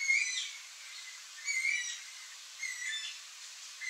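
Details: Yellow-headed caracara calling: high, screechy notes with a brief whistled start and a falling tail, repeated about every 1.3 seconds, with quiet gaps between calls.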